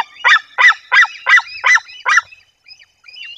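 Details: White-tailed eagles at a nest in Bory Tucholskie, Poland, in the 2024 breeding season, as the female drives off another eagle: six harsh, yelping notes about three per second, then fading to a few faint, thin calls.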